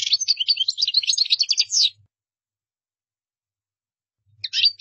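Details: European goldfinch in a fast, jangling twitter of mixed high chirps and short trills for about two seconds, then silence before another burst begins.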